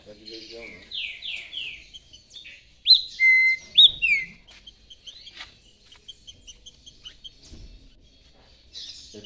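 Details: Rufous-bellied thrush (trinca-ferro) song: a series of clear whistled phrases, descending slurred notes and a long level whistle, with scattered short chirps between phrases and a faint voice in the background.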